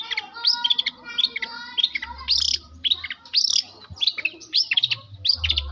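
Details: South Malang long-tailed shrike, a tutored mimic, blending lovebird and canary phrases: a rattling stuttered run at the start, then rapid sharp whistled chirps in tight repeated bursts, with a faint low hum underneath.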